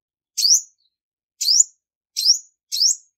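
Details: Female Olive-backed Sunbird singing to stir up males, recorded without background noise: four sharp, high, upslurred chirps at irregular intervals, each with a bright rising sweep.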